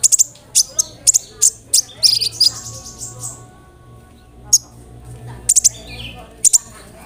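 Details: Olive-backed sunbird song used to make other sunbirds call back: bursts of shrill, clipped chirps, then a pause, then a few more sharp notes and a brief twisting phrase.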